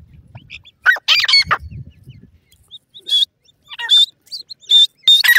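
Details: Pheasant chicks squabbling in a forest: a burst of rough, clucking cries, then a run of short, sharp, high peeps at uneven intervals over quiet background.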